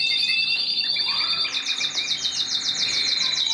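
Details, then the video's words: Mosaic canary holding a high steady trill, then switching to a rapid series of evenly spaced chirps repeated several times a second. "تغريد الكناري موزايك مالتي"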